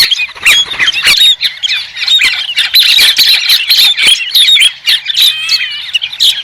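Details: Chattering, cackling calls of White-crested laughingthrush pour out almost without pause, some notes drawn into short whistled slurs, mixed with frequent sharp clicks.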